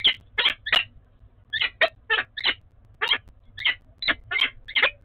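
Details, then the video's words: Peregrine falcon pair bonding at a nest in Oudenaarde, recorded 11 February 2021: harsh, rasping calls repeated in quick clusters, about thirteen notes in five seconds, with short gaps between groups and quiet background. "Peregrine Falcon - Bonding"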